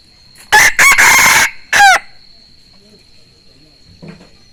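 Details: Decoy rooster giving a beautiful, melodious crow: a loud hoarse crow in several bursts with a separate falling final note, followed by a steady high whine, a faint cluck and quiet voices around.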